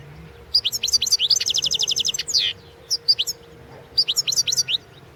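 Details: Goldfinch song from a 2016 world championship competition: brisk high twitters leading into a rapid even trill, a buzzy downslurred note, then further bright chattering phrases after a short pause.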